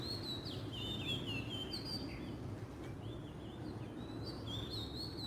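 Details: Oriental magpie-robin in the wild delivering a run of sweet whistled notes, some rising and some falling, with brief trills, then a slurred rising phrase near the end; constant low background hum throughout.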